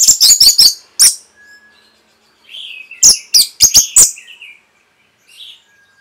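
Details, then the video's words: Orange-headed thrush training song for caged birds. Clusters of loud, high, scratchy notes come in quick bursts, with soft low whistled slurs and long pauses between them. "ANIS MERAH PASTI MENGIKUTI KICAUAN MASTERAN INI"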